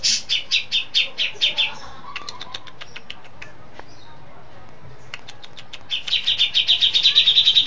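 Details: Captive Cucak jenggot, settled and singing vigorously, in a long-shot song with fills of besetan, lovebird, sparrow and cililin: fast bursts of sharp repeated high notes, a quieter stretch of scattered clicks, then a rising run of rapid chips.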